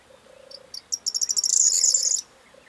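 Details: Corn bunting song from 4 June 2022: a soft, low hum underneath as sharp high ticks gather pace and fuse into a long, dense, rattling jingle, ending abruptly after about two seconds.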